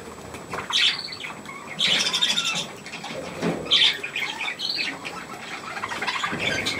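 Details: Young budgerigars with millet, 3 May 2024, produce bursts of scratchy chirping about one second apart, separated by quieter gaps and light rustling.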